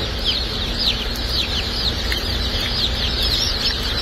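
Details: Newly hatched Dark Brahma chicks on shipping day, a group of babies giving shrill falling cheeps that overlap constantly, with a dense high chorus and a low rumbling background.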